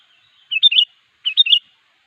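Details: Sooty-headed bulbul singing to call a rival: two short bubbly phrases of three or four quick liquid whistled notes, each phrase about a third of a second, with a pause between, in an otherwise quiet background.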